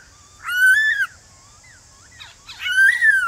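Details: Morning song of a male white-cheeked laughingthrush in wild forest voice, meant to stir new birds into singing back: a full arched whistle, faint short notes in the gap, then a buzzy burst leading into another long ringing whistle.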